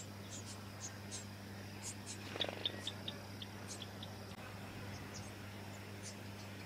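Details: In Victoria, Australia, December 2017, a Brown-headed honeyeater of subspecies pallidiceps utters scattered high chips, with a brief buzzy burst and quick clicking notes around the middle, over a faint low hum.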